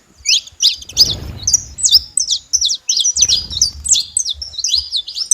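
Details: Wild flock of saffron finches calling freely in nature: dense, overlapping high chirps and short twittering notes from several birds at once, with low rumbling thumps in the background.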